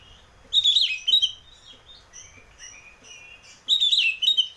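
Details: Oriental magpie-robin song serving as a lure for a caged bird: two bursts of warbled, whistled notes three seconds apart, with soft scratchy twitters and a thin sustained whistle in between.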